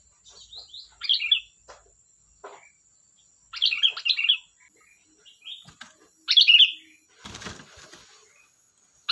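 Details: Sooty-headed bulbul in lively song: repeated short, bubbly, slurred whistle phrases every two to three seconds, mixed with softer chirps and a brief crackling noise.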